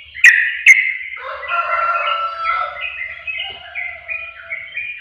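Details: Sooty-headed bulbul song played as a lure to provoke other birds: two sharp opening notes, then a bubbling, warbled run of mid-pitched liquid phrases sliding up and down.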